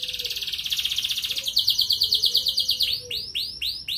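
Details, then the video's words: Red canary singing a gacor ngerek training song meant to stir hens into breeding: fast pulsed high trills that shift pitch midway, ending in a run of repeated loud downward-sweeping whistled notes. "Bunyi Kenari Pancingan Untuk Burung Ombyokan"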